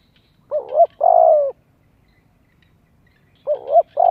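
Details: Two spotted dove phrases three seconds apart, meant to attract wild doves and train young birds' voices; a wavering double note leads into a long, even, gently falling coo each time.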